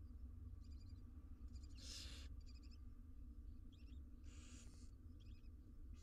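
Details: Barn owl nestlings, six wild chicks in a monitored nest box in Israel, beg during feeding with soft rapid ticking clicks between two loud rasping hisses, over continuous low hum.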